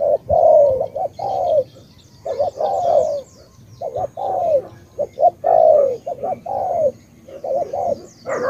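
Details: Tú-style cooing of a spotted dove from Cà Mau, Vietnam: soft, low coos repeated in quick clusters, each phrase closing on a longer falling note, several phrases running over eight seconds.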